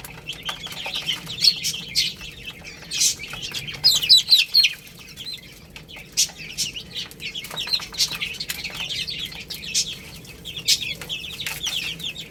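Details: Flock of chicks eating rice, irregular high, thin chirps coming in clusters, loudest around four seconds, with many crisp pecking clicks and taps between calls.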